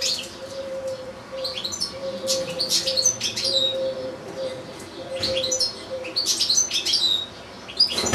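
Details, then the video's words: Caged European goldfinch, kept alongside another goldfinch and two goldfinch-canary hybrids, singing in short bursts of high twittering, trilled notes separated by brief pauses, over a steady low electrical hum. "ΚΕΛΑΗΔΉΜΑΤΑ ΑΠΌ καρδερίνες"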